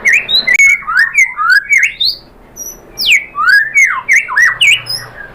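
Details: White-rumped shama (murai batu) in a lure recording meant to make other birds answer and sing: loud varied whistles and harsh squawky notes, rising and falling phrases in quick bursts with a short pause midway.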